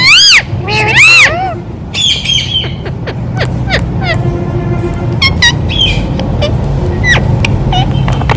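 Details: Captive rose-ringed parakeet said to be talking, repeating "Mitthu Mitthu". Loud, harsh, arching harmonic calls come in the first seconds, then shorter sharp notes follow over a steady low household hum.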